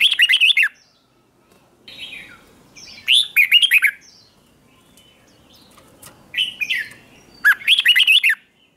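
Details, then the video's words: Red-whiskered bulbul in morning song used to stimulate contest singing: repeated loud warbled bursts of quick rising and falling whistled notes, with several softer phrases and gaps between them. "luyện giọng chào mào hót sáng kích bổi hót đấu căng lửa"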